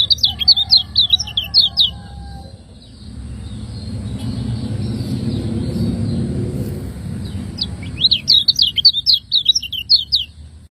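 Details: Lemon-bellied white-eye from Lombok delivering 'ciak ngejos' tutor song for cage birds: a brisk two-second chirping run, a long gap filled with low rumbling background noise, then another fast, high twittering burst.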